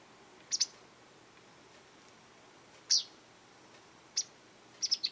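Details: Japanese wagtail observed in a garden, calling repeatedly and possibly threatening others or claiming territory: crisp, buzzy high single and double notes spaced a second or more apart, ending in a quick triple.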